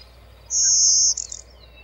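A Blue-winged Warbler gives its two-part song: a long, thin, high buzz followed by a shorter, rougher buzzy note, like 'beee-bzzz'. Otherwise quiet.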